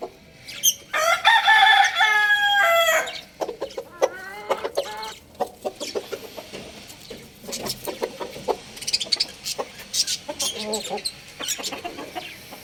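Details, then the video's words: Young rooster, one of two crowing loudly: a long harmonic crow with stepped pitch bands in the first three seconds, followed by shorter clucking and scattered calls. "Beautiful young rooster crowing sound effect"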